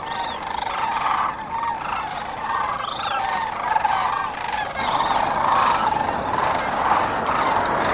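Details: At dawn on the Cosumnes River, many sandhill cranes keep up a continuous throaty, rolling chorus, individual rattled bugles standing out now and then above the steady mass of calling.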